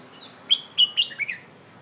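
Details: Red-whiskered bulbul giving one 'Hoh' style phrase, played to teach young birds: four crisp, evenly spaced whistled notes followed by a lower slurred ending, clean and clear against a quiet background.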